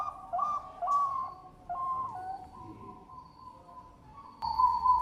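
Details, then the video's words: A Bangkok-type zebra dove (perkutut) gives a run of soft, mellow cooing notes in short bursts, some held and wavering, over a faint background hiss. "PERKUTUT BANGKOK GACOR SUARA MERDU"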